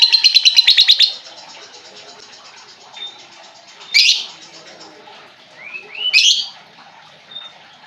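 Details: Lovebird lure for a bird that stopped singing: a fast buzzy trill for about a second, then scattered sharp chirps and rising squeaks.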